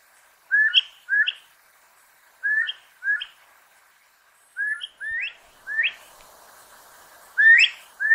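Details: Elegant crested tinamou (Eudromia elegans) giving clear, mellow whistles in quick pairs, a pair about every two seconds, the later notes louder and sliding upward.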